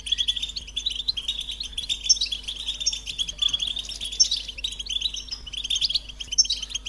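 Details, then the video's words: Melodious American goldfinch song, a continuous stream of fast high twitters and chirps with occasional sweeter whistled notes rising above, over a faint steady low hum. "The Joyful Songs of Goldfinches"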